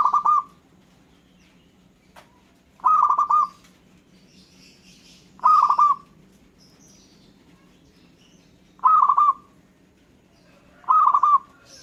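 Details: Local zebra dove, its song said to draw replies from other birds: five rolling, bubbling coo phrases spaced about two to three seconds apart, with soft high chirps from other birds and a low steady background hum.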